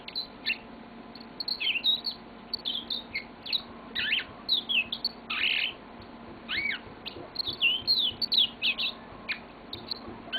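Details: A pet yellow-fronted canary sings on and on, stringing together high chirps, rising and falling whistled sweeps and rapid buzzy trills in closely packed phrases, with a low indoor hum in the background.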